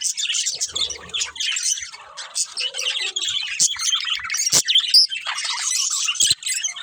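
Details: Budgerigars of a breeding pair and family twitter in bursts of high, scratchy chirps and squawks, with a brief lower squawk, a sharp click near the middle and a thin whistled note.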